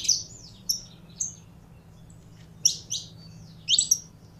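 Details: Saffron finch being fired up by its keeper, producing a few short, high chirped phrases: a quick trio of notes, a pause of over a second, then two tight bursts of bright tweets.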